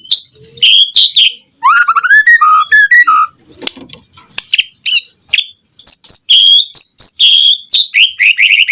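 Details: White-rumped shama in full, lively song, used as a lure to set other shamas singing: loud, varied whistled phrases, rising slurs and sharp high notes in quick bursts separated by short pauses.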